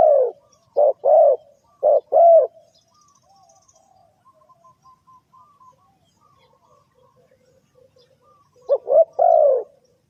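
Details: Spotted dove cooing to lure birds into a trap: two rapid three-note coo phrases, roughly six seconds of quiet, then the phrase again, low and mellow with no other clear sounds.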